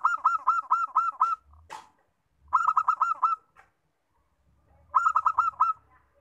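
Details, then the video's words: Local zebra dove singing: three bursts of rapid, rolling coos, each about six staccato notes in quick succession, separated by pauses of about a second; a brief sharp click between the first two bursts. "PERKUTUT LOKAL, BUAT MEMANCUNG BUNYI"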